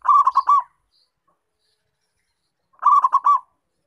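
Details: Vigorously calling local zebra dove, recorded as a lure for attracting and trapping wild doves: two short bursts of about four rapid, rolling coos with a long silent gap between them.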